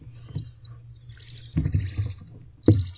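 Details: Barn owlets in a nest box, 29 April 2023 at 7:33 pm, pushing to get under their mother. A drawn-out, breathy hiss holds for over a second, with soft bumps and a sharp knock near the end.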